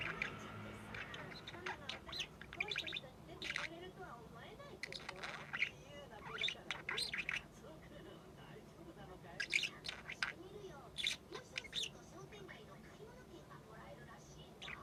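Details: Female budgerigar aged six months practising calls and talking: long stretch of mumbling warble broken by clusters of sharp, scratchy chirps and squawks, quieter in the middle, then livelier bursts again.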